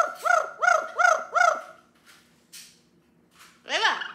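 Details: A pet Amazon parrot calling out when left alone, crying for attention: four loud, arched, rasping calls in quick succession, a pause with faint rustles, then one more strong call.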